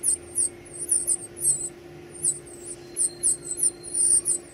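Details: Baby birds begging at feeding time: high, shrill squeaks repeated roughly every third of a second in short bursts, over a continuous low mechanical hum.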